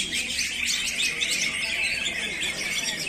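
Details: Caged greater green leafbird from a dealer, bound for Bandung, singing a dense, continuous run of high, fast chirps and sharp twittering notes without pause, with faint background hum.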